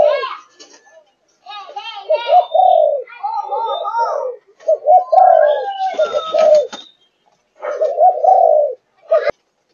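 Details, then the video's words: Five-and-a-half-month-old Malaysian-line spotted dove giving thúc gù coos: a dense run of overlapping rolling coos with some harsher notes and brief background noise, then a final longer coo after a short pause. "Cu Gáy Malaysia Dòng Thúc Gù 5,5 Tháng Tuổi"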